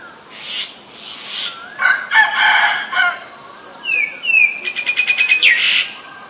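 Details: Female Asian koel calling with bursts of harsh notes, then a fast, even run of clipped kik-like notes that ends in a louder burst. Rooster-like crowing is mixed in.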